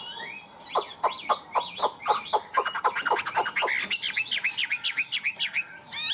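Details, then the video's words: Tame caged Chinese hwamei singing in the high 'cao cầu' style: a run of sharp, evenly spaced loud notes about four per second, then quick rising-and-falling whistled slurs repeated rapidly, ending in a bright trill. "Chim họa mi thuần, hót tốt, hót cao cầu"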